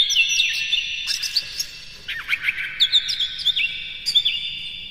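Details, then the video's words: White-rumped shama singing as a lure to stir other shamas: dense, high, varied twittering with sharp whistled notes and rapid trills, broken by brief pauses, continuing throughout. "KACER NGEPLAY GACOR NEMBAK-NEMBAK ISIAN, PANCINGAN AMPUH NAIKAN EMOSI KACER"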